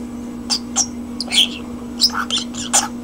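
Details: Common starling indoors producing a few separated squeaky whistles and short raspy notes, about one every half second, over a background hum.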